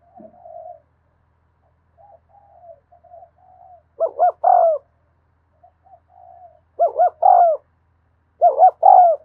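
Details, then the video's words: Spotted dove in 'thúc gù' cooing style, recorded in the afternoon: faint low murmurs build into three loud phrases, each made of quick stuttered notes running into a longer falling coo. "tiếng cu thúc gù hay và liên tục"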